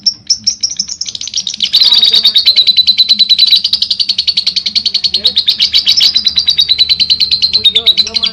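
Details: Lovebird giving a long ngekek trill: a continuous fast chattering of rapid repeated high notes, held steady for several seconds with slight rises and falls in pitch.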